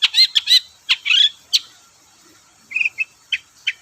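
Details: Long-tailed shrike song, played as a lure to prompt reluctant shrikes to sing: harsh, scratchy chattered notes in quick bursts, then a short pause and a few sharper, higher chips spaced irregularly.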